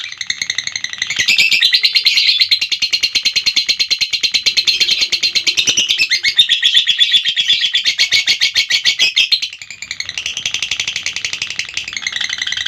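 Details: Lovebird delivering a long-duration ngekek: a dense, high, rapid chattering trill running almost unbroken for about eight seconds, briefly dropping off near the ninth second before resuming just as busily.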